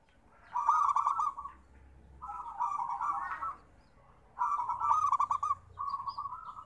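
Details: Local perkutut zebra dove song in which two pairs of phrases each open with a quick, stammering cluster of notes and then a rolling, steady coo. The phrases are evenly pitched and separated by brief silences.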